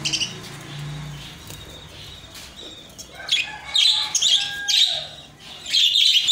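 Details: Budgerigars chatter in bright, scratchy warbles and quick chirps, coming in bursts after a quiet start.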